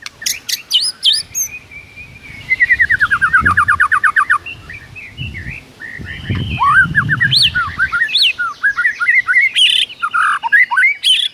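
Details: Rich morning song of a white-rumped shama, packed with mimicry: opening chips, a long fast descending trill, then varied whistled swoops and a rapid chatter, with faint low background rumble.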